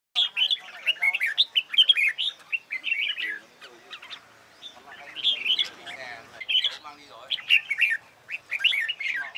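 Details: Red-whiskered bulbul practising competition singing: short bright warbled phrases of quick chirps and slurred whistles, sung in bursts about every second with brief pauses, a longer gap near the middle.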